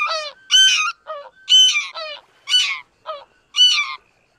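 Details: Loud, harmonic, laughing honks from a greater white-fronted goose, alternating higher and lower notes about twice a second in a steady series.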